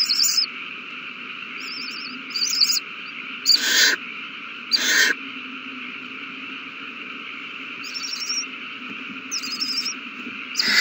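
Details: Owl babies eating well at a nest on March 27, 2020; sparse high quavering twitters mix with two loud, harsh, breathy hissing screeches about a second apart, then more twitters and a final hiss, all over a background hum.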